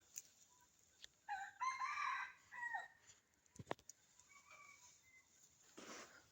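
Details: Wild red junglefowl crowing at dawn from forest beside a house on a cold, dark winter morning: one loud, harmonic, drawn-out crow with a falling tail, preceded and followed by quiet gaps and a few sharp knocks.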